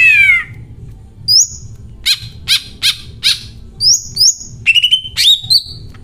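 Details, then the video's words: Greater green leafbird in full song with an 'isian cililin' fill: a falling whistled slur, then sharp vertical chirps in a loose series and high rising whistles and trills, with a faint low hum beneath. "CUCAK IJO MEWAH BONGKAR ISIAN CILILIN GACOR DOR"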